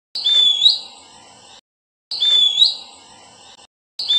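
Verditer flycatcher giving high, thin, whistled phrases with a short rising note, each phrase about a second and a half long and repeated every two seconds.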